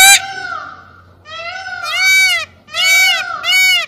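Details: Peacock calling repeatedly, a series of loud, nasal, arching wails, each about a second long, separated by brief gaps, with a sharp sound at the start.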